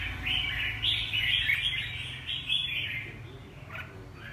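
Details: Rapid repeated warbling phrases from a red-whiskered bulbul, about four per second at first, then fading, heard over a noticeable steady low hum.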